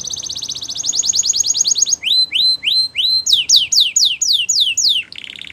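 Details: Canary singing a training song meant to encourage other canaries to sing: a rapid high trill of sharp notes, then slow rising whistled slurs, then a run of falling sweeps ending in a short buzzy roll.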